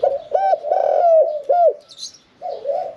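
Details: Spotted dove in a cage, medium-voiced 'khan yon 1 kuk' singer, giving a loud burst of round, hooting coos, one long drawn-out, then a pause and softer coos, with a brief high twitter from another bird.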